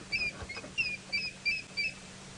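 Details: At sunrise in June at Djuma, Sabi Sand, South Africa, an unseen African grey hornbill high atop a tree gives six high, thin whistled piping notes, about three per second, then flies off; faint low rumble.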